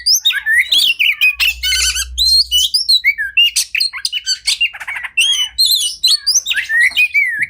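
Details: Kacer or Oriental magpie-robin masteran song: continuous loud mix of harsh squawks, buzzy rattles and looping whistled notes, busy and rapid, high-pitched, with a low hum at the start.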